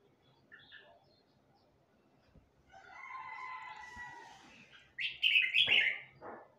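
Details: A red-whiskered bulbul of the Huế type, young and still learning to sing. A faint note comes first, then a steady drawn tone with overtones, then a loud, jumbled, rising and falling warble.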